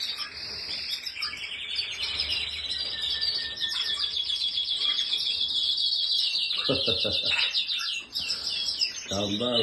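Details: Spanish Timbrado canary holding a long, fast, even trill of repeated notes, ending in varied whistles, with short lower-pitched nasal sounds near the end.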